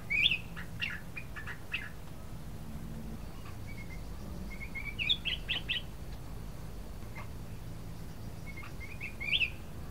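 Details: Ruby-throated bulbul, recorded singing actively for use as a lure to prompt other birds, giving short, bright, bubbling phrases at the start, middle and end, over a steady low rumble.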